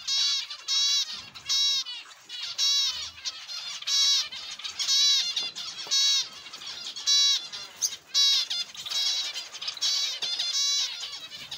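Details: Zebra finches kept in an aviary call loudly with stacked, nasal honking notes, repeated about once a second in uneven bursts over a background of quieter chatter from the flock.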